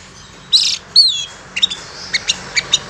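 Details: Trapping lure of a long-tailed shrike call: two harsh, buzzy bursts, then a string of short, evenly spaced high clicks.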